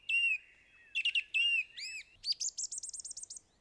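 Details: Song thrush singing: clear whistled notes near a steady pitch, a quick burst of short notes, then curved, slurred notes, ending in a rapid, high, rattling run of about ten notes. The background is quiet.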